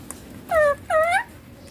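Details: Green ringneck parakeet kept as a talking pet, said to speak papa and mummy: two short, clear, nasal harmonic syllables in quick succession, the second slightly longer and dipping, against quiet background hum.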